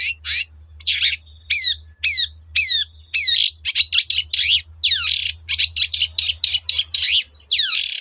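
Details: Long-tailed shrike singing hard to draw other shrikes into song: a run of sharp, steeply falling high notes, first spaced about every half second, then quickening into tight overlapping bursts.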